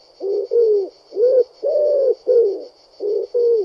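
A pigeon coos in low, soft, throaty bursts, about seven in under four seconds, over a faint steady high whine.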